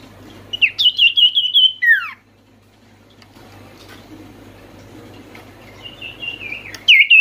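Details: Oriental white-eye (sirtu) calling, played to make silent birds start singing: a quick high trill ending in a downward slur, a quiet pause with low background hum, then the trill returns.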